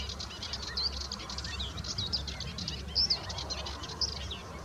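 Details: Pied avocets (Recurvirostra avosetta) with chicks give short, high chirping notes, several clear ones about a second apart over a busy background of small calls, with a low wind-like rumble beneath.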